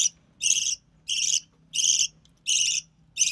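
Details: Budgerigar chick of recessive pied colour, born early June 2020 to a white recessive pied father and albino red-eye mother, while being fed by its mother: rasping, noisy bursts repeated steadily about every two-thirds of a second, six in all.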